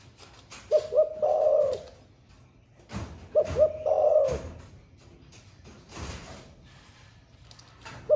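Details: Spotted dove, song style called 'thổ pha', reported to sing all day long: two deep cooing phrases about three seconds apart, short clipped notes leading into a drawn-out purring coo, with scattered knocks and thumps around them.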